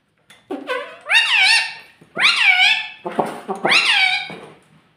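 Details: Indoor pet parrot that talks, said to repeat "mittu" and "mummy"; three loud, drawn-out, squeaky word-like phrases about a second apart, each rising then dipping in pitch.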